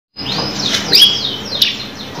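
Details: Canary singing a long rolling song, with sweeping whistled notes rising and falling between high pitches, a few sharp accents, over faint background hiss.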